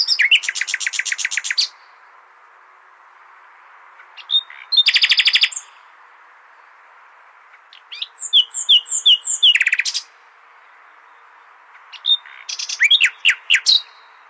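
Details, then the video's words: Nightingale phrases played to teach goldfinches: a rapid rattling series, a dense buzzy burst, a varied phrase of repeated high whistled notes, and a final series of sweeping slurred notes, separated by quiet gaps. "تغريد جميل للعندليب لتحفيظ طيور الحسون"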